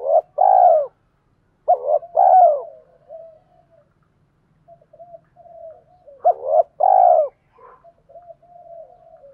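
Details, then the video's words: Male and female spotted doves calling to prompt cooing, two coo phrases of short notes and a long falling coo, separated by softer murmuring coos and a quiet gap. "Tiếng chim cu gáy kích bổi mới hiệu quả"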